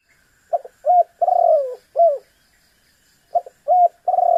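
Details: Spotted dove (tekukur) calling to draw a rival: clipped short notes, a drawn-out falling coo and a rounded final note, then a pause and the phrase starting again.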